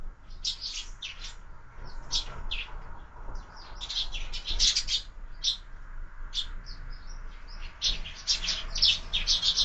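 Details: Breakfast at a window-mounted feeder where sparrows are fed all year: a lively, continuous chatter of short, bright chirps in quick bursts, several birds calling over one another against faint low background noise.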